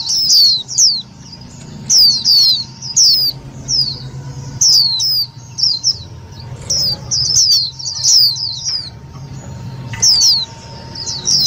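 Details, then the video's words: Indian white-eye calls serving as a trapping lure and to excite other white-eyes: high, thin, falling chirps in quick pairs and triplets, spaced by short pauses, over a faint low hum. "Tiếng chim vành khuyên mồi cực nhạy"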